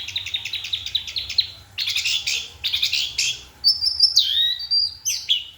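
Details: At night an orange-headed thrush sings a fast series of repeated chattering notes, then harsher buzzy bursts and finally clear high whistles sliding downward.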